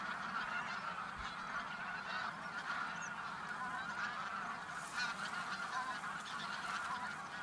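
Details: A flock of geese honks continuously in flight as they move from feeding fields to a lake at a migration stopover in Khakassia, overlapping nasal calls forming a steady chorus, with light wind in the background.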